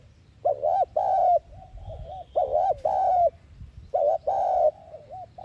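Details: Spotted dove lure call in the thúc gù style, meant to rouse caged doves to coo. Three phrases of two deep, throaty coos, each followed by soft trailing murmured notes, repeating roughly every one and a half seconds.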